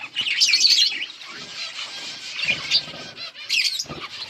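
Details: Chirping budgies, dated August 15, 2024: a loud burst of bright high twittering at the start, then softer continuous warbled chatter, with another sharp flurry of chirps near the end.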